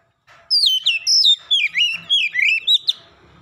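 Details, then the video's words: Aggressively provoked oriental magpie-robin sings a fast, loud phrase of descending whistles and twisting chirps, about a dozen notes in under three seconds. "sekali pancing Kacer lawan langsung gertak naik emosi bongkar isian"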